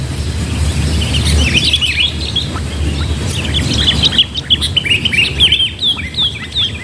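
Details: Sooty-headed bulbul (kutilang) at a trapping session using a decoy bird; overlapping quick chirps and warbled notes from several birds, becoming clearer and more spaced toward the end, over steady low background rumble.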